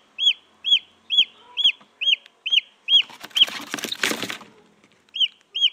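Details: Wild junglefowl chick, recorded for luring female junglefowl, peeping in high, arched cheeps about twice a second, briefly interrupted by a burst of rustling noise before the peeps resume.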